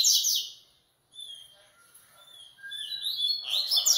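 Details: Coleiro song in bursts: bright high trills, a pause, then thin whistled notes that build back into rapid, warbling high-pitched phrases toward the end.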